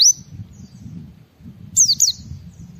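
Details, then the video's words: White-eye in ngalas style, sung to prompt other white-eyes to sing: one brief high whistle at the start, then after a pause two quick descending slurred notes, over steady low-pitched background noise. "Suara Burung Pleci Gacor membuat Semua Pleci langsung ngalas Bongkar Isian"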